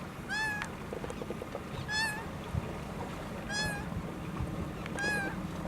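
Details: Laughing gull lacking one leg, in the United States, calling continuously: four nasal, gently rising-and-falling mews roughly every 1.6 seconds, a faint click between, over low-frequency rumble.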